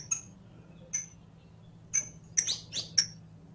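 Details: Saffron finch (canario criollo) from audio for training captive birds to sing: sparse, thin high tweets about a second apart, then a short cluster of louder, rougher chips near the end.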